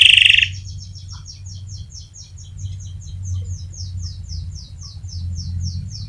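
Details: Long rolling canary song as a lure for other canaries: after a brief loud burst, a steady series of fast thin chirps repeated about three to four per second, over a quiet low hum.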